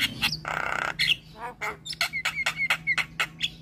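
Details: Javan myna in full song meant to provoke other mynas into singing: harsh rasping squawks followed by a rapid series of sharp clicking and whistled notes, over a steady low hum.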